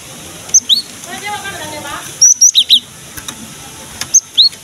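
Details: Energetic gelatik batu (cinereous tit) song meant to coax young or lazy birds of its kind into singing: three bursts of piercing whistled notes alternating high and slightly lower, each burst of four to five notes, over low background hiss.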